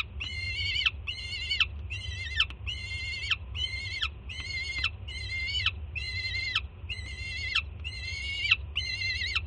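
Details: Nest-cam recording of a juvenile peregrine falcon in Jersey City screaming for food as its mother lands with breakfast; a long run of eleven short, raspy, harmonic screams in quick regular succession, each clipped off with a falling tail.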